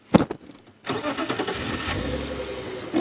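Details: A vehicle engine starts after a short clatter like jangling keys, then runs with a rough mechanical rumble, and no animal sound.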